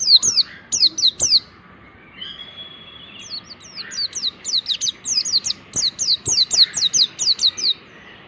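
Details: Mountain white-eye song as tutoring material for other white-eyes: quick high slurred chirps at first, a short thin whistle, then a long steady stream of rapid descending notes.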